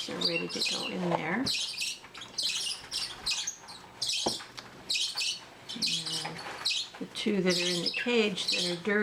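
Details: Eleven captive young Bourke's parakeets of varying sizes during a hand-feeding session give dense, rapid, high-pitched chirps and squawks through most of the recording, with a person's voice heard briefly at the start and end.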